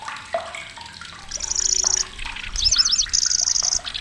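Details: Shrill, loud song of a migrant lanceolated warbler in Indonesia: two high, dry reeling trills of about half a second, separated by rapid looping zigzag notes, with softer calls of other birds underneath.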